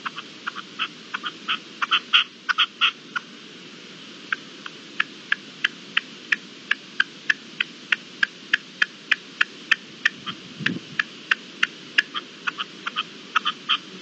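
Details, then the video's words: At dawn on 18 April 2021, a red-legged partridge gives a long series of short, dry chucking notes, clustered at first, then evenly repeated roughly every third of a second, with a low thump near the end. "Amanece con el reclamo de la perdiz"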